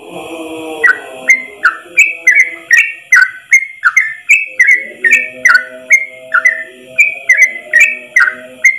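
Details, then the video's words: A yellow-vented bulbul tutor recording of long song delivered in one breath: a fast, unbroken run of bright, down-slurred whistled notes, about two per second, over a steady low droning hum. "trucukan terbaik ropel 1 nafas panjang"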